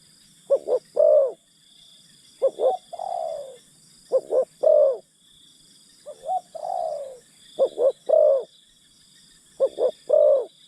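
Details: A decoy spotted dove luring wild birds: crisp double notes ending in a long falling coo, alternating with softer slurred, rolling coos, phrases spaced about two seconds apart over a continuous high whine.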